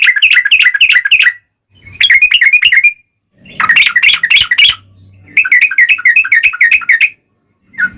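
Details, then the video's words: Bulbul song in the fighting 'ropel panjang' style, as a yellow-vented bulbul lure for making other bulbuls call back. Four dense phrases of jumbled, bubbly, warbling notes, each over a second long, separated by short silences. "trucukan gacor TARUNG ROPEL PANJANG"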